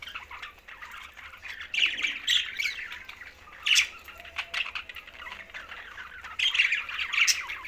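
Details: Green budgerigars, a group kept as pets, chirping and chattering in overlapping bursts of bright, scratchy squawks and warbles, with louder flurries near two, four and seven seconds.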